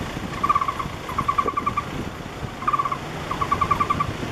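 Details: Young Taiwan barbet at a tree-hole nest beside an apartment building near the National Palace Museum, begging while it waits for its parents. Four short rapid runs of hollow, evenly pitched notes are heard over faint background noise.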